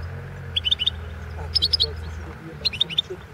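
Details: Competition entry of a Balkan goldfinch, Carduelis carduelis balcanica, for the 2016 world championship in goldfinch song. Three quick groups of sharp, liquid chirps in rapid clusters rise above a steady low hum.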